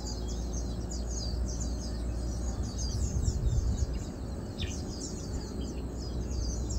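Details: Feeding chestnut munias, 7 August 2022: rapid, irregular high-pitched twittering notes, several per second, some sharply descending, heard against continuous low environmental rumble.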